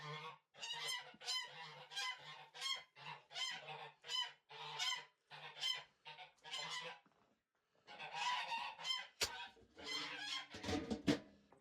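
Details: Domestic geese on a homestead farm honk loudly and harshly in quick repeated bursts, about two a second, as feed is brought to them. A short pause and a few handling thumps come near the end.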